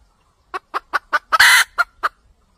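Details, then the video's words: Wild junglefowl hen cackling, a call played to trap red junglefowl: five rapid sharp clucks building up to one long, loud, rasping note, followed by two more clucks, in a quiet setting. "Tiếng gà mái cục tác siêu nhạy"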